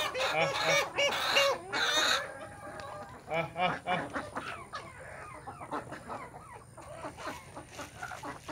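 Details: Village Desi chickens with naturally hatched chicks in the morning: loud bursts of clucking and squawks at the start, then softer scattered clucks and peeps over background noise.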